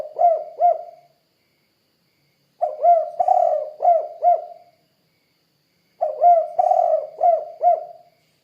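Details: A lively spotted dove (tekukur) gives its 'kuk 2' coo. A phrase tail, then two complete mellow phrases, each a brief intro, a throaty rolling middle note and two crisp ending notes, separated by silent gaps of about two seconds.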